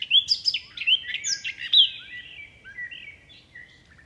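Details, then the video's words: Bird chirping as wind stirs the leaves: a quick run of bright, high chirps and short whistled slurs, loud at first and then fading into softer scattered notes. "Wind blows leaves, leaves bird chirping sound"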